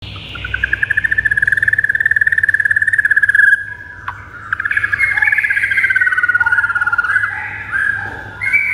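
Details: White-rumped shama song used as a master recording to rouse pet shamas into singing: a rapid buzzy trill sliding slowly downward for about three seconds, a short pause, then a warbled run of mid-pitched notes, over a faint low hum.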